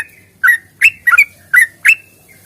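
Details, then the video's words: Fighting song of a sooty-headed bulbul, used as a lure to make birds sing: five short, bright whistled notes spaced evenly, one doubled, each with a quick rising-falling inflection. "trucukan GACOR tarung ropel panjang ini AMPUH bikin trucuk gacor bunyi NYAUT"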